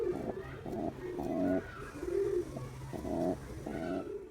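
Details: Courting male pigeon directing low, burbling coos at a female, several short rolling phrases with brief pauses between, soft and throaty over a quiet background.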